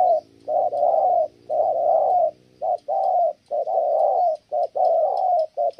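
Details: Low, loud spotted dove coos, short and long hooting notes alternating in a steady run, with a female reportedly disrupting the bird's cooing.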